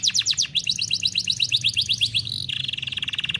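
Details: F1Ys canary singing continuously as master training song: sharp repeated high notes in two quick series, then a rapid low buzzing trill of tightly packed pulses, over a faint hum.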